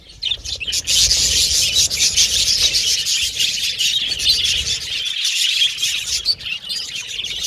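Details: Several pet Australian budgies chirp, whistle and chatter without pause. High twittering notes overlap continuously in a busy flock warble, with faint low background rumble.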